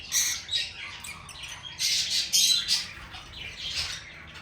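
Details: Lovebird singing and chirping: harsh, squeaky high chirps in rapid, irregular bursts with short quiet gaps between clusters.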